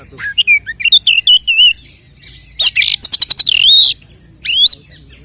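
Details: Oriental magpie-robin fighting song to provoke rival males: clear whistled wavering notes in a rhythmic series, then a burst of rapid ticking trills and a rising swept whistle.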